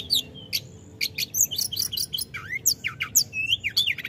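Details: Snowy-browed flycatcher calling vigorously and continuously, a rapid jumble of high thin chirps, short whistled notes and quick downslurred and upslurred squeaks packed tightly together, with a faint low hum underneath.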